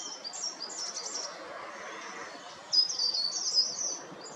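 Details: Short-toed treecreeper in the coastal forest of Taramancos beach, Noia: faint high sibilant notes at first, then a louder burst of thin, very high slurred calls after a pause, with steady ambient hiss.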